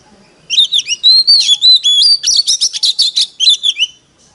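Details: Competitive song of an Oriental magpie-robin used as a lure bird: a continuous four-second stream of pure whistles and sliding notes breaking into quick, scratchy, repeated chatters.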